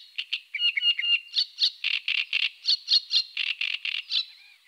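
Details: Eurasian coot calling: a run of short, sharp, high-pitched notes, roughly two per second, some clipped and nasal, fading into a softer final note.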